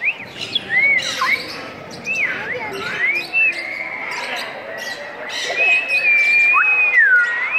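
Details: Children coaxing an African grey parrot to talk; a run of clear whistled swoops and slides, some rising, some falling, then a long level whistle that dips at the end, with soft voices and clicks in the background.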